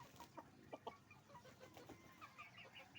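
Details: Chicken farm with roosters and hens, sharp clucks and a couple of loud pops early, then higher thin peeping notes repeating toward the end above the general flock murmur.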